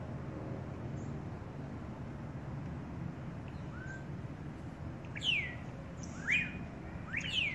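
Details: A Cinnamon Hummingbird chick, being fed by its mother, gives three sharp, high squeaky chip bursts about a second apart near the end, over a steady low rumble of background noise.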